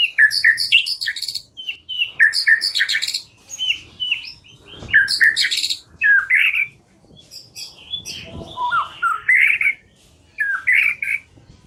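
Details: White-rumped shama lure song to get a quiet bird singing: repeated bursts of loud chattering and whistled phrases, a falling-then-rising whistled run near the end, with short pauses between phrases.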